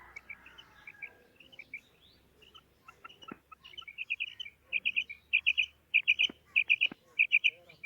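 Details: Calling female quail, starting with scattered soft chirps, then building into loud, tight clusters of sharp notes repeated at a brisk rhythm, with a couple of sharp clicks in between.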